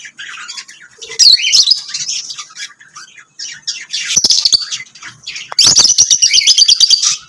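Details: Lovebirds singing and chirping: dense bursts of harsh, high chirps and squawks in several loud flurries, overlapping rapid twittering from more than one bird, with brief quieter gaps between.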